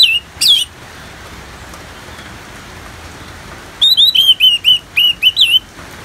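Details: Orange-headed thrush song for bird therapy, paired with natural rain sounds: a few clear whistled notes, a pause, then a quick run of eight sharp, downslurred whistles around four seconds in, over a soft steady hiss.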